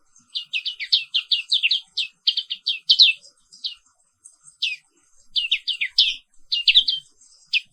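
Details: Indonesian black-capped white-eye singing a morning therapy song meant to rouse other birds: long, busy runs of high, quick chirps strung almost without a break. A short pause comes in the middle before the twittering resumes.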